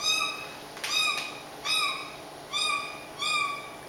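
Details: Pet caique meowing like a cat when nobody is around: five drawn-out, nasal mews with rich overtones, each about half a second long and spaced roughly every 0.8 seconds, over a steady faint hiss.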